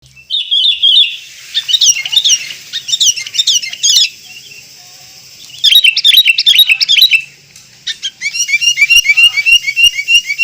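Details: Sooty-headed bulbul (kutilang) song: bursts of bright, quick chirps and slurred whistled notes, paused between phrases, ending in a fast, even run of repeated twitters.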